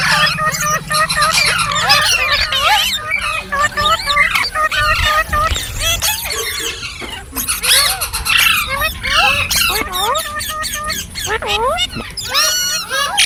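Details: Green parrots chirping in a dense, continuous chorus of overlapping harmonic squeals and rising-falling chirps, with many callers heard at once and brief quieter gaps around the fifth and twelfth seconds.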